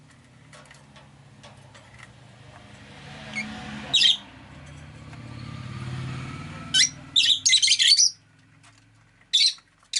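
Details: Rosy-faced lovebirds, five kept in a window-side cage, let out scattered sharp, screechy chirps in quick bursts over a steady low rumble of car engines and street bustle outside.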